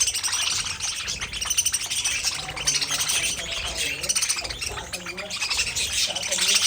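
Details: A flock of budgies in an aviary keeps up steady, high twittering and warbled chirps, with short squawks and softer lower murmurs underneath.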